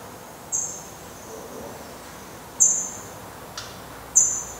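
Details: Black redstart at its nest on 24 May 2020, as the last surviving chick of four eggs leaves the nest; three short, high, thin whistled notes spaced about one and a half to two seconds apart, with a faint click between, over quiet background.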